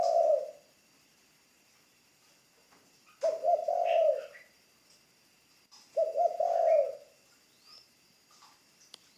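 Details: Ground decoy spotted dove in training cooing three times, each phrase a short, low, purring note group, separated by quiet gaps of about three seconds, with faint chirps and a high hum.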